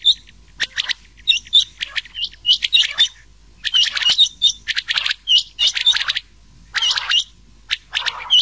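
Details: Rain quail (changah) calls mixed with old quail voice, a lure recording for night-time summer hunting; dense bursts of sharp, high chirped notes, many paired and hooked, overlapping in rapid irregular clusters.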